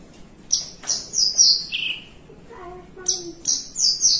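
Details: Javan bushlark, a cage bird, singing long 'melung panjang' phrases while perched calmly: piercing high sustained whistles that glide downward, a brief quieter gap, then another series of long high notes.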